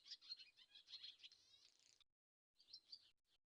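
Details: Swallow giving a quick burst of high, squeaky chirps that runs into a dry buzzy rattle, falls silent briefly, then resumes with a few more bright chirps.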